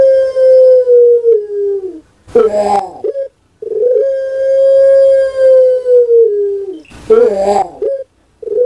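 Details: National champion puter pelung dove, a caged bird kept in Java, Indonesia, singing its distinctive pelung song twice: a long, steady, slowly falling hollow coo followed by a rough, rolling, gurgling burst, with brief pauses between phrases.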